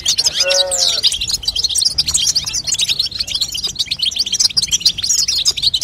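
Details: European goldfinch female call meant to strengthen and prompt a young goldfinch's singing; a short lower, whining tone with overtones opens, then steady rapid high chirping and twittering continues.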